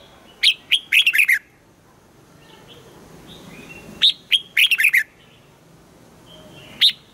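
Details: Morning song training of a caged red-whiskered bulbul; two matching phrases about four seconds apart, each a string of five or six clear whistled notes stepping downward, then a lone high note at the end.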